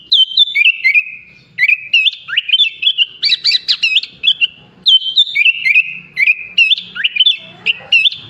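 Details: Sooty-headed bulbul singing a rich mimicked song with phrases copied from other birds: clear whistled notes with quick up-and-down slurs and sharp chips, repeated phrase groups, loud and steady throughout.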